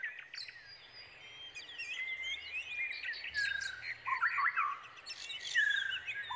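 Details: Young Brown Prinias calling eagerly as they await their parent bringing food, a busy overlapping chorus of high chirps and quick sweeping whistles that grows louder and more excited toward the end.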